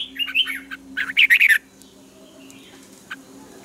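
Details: Dawn singing of a red-whiskered bulbul, recorded for training birds in the taut double-note style: two quick warbled phrases back to back, the second louder, then a lone chirp.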